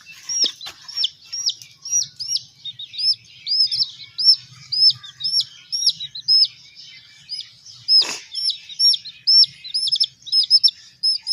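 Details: Baby hen chicks being raised, peeping continuously: a dense run of high, arched, slightly down-slurred peeps, roughly two per second, overlapping from several chicks, with a faint low hum underneath and one brief sharp click.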